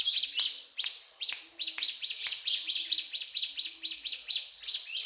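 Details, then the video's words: Mountain tailorbird singing energetically, a fast run of shrill, high, clipped notes at roughly two per second, opening with a few louder sharp downstrokes before settling into a steady chattering rhythm. "Burung Ciblek Gunung Gacor Cetrakan"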